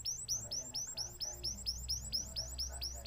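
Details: Canary song phrase of quick, high, rising chirps repeated evenly at a rapid pace, over faint low background hum.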